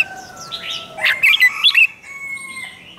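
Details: Red-whiskered bulbul (Pycnonotus jocosus), song: provoking rival males to sing in competition.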